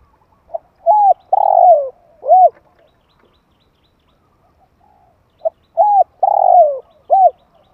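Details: Spotted dove giving its call, used to excite decoy birds and train young birds. A small soft note leads into three deep coos, the middle one longest with a rough, descending quality. Two phrases, about five seconds apart, in near silence.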